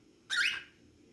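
A cockatiel gives one brief, bright whistled note that sweeps up and then drops, set against a faint low room hum.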